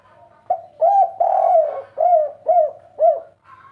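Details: Agitated spotted dove (derkuku) in the three-note kuk 3 style, cooing in a rapid, insistent series. A long, rich coo is followed by three shorter rounded coos, each rising slightly and then dropping. Background is quiet and close.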